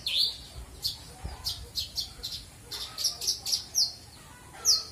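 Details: Caged Australasian bushlark singing its full varied song, kept as a model for training other birds: a lively run of sharp high chirps, clipped whistles and short buzzy notes, several quick bursts in succession over quiet background.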